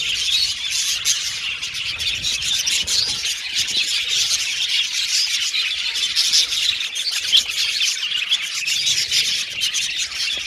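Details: Budgerigar colony calling in an aviary over a long stretch, a ceaseless high twittering chorus with scattered sharp chirps and clicks.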